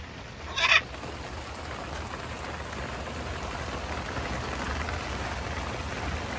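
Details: A macaw out in the rain getting a shower gives one short, harsh, raspy squawk near the start, then only the steady hiss of falling rain.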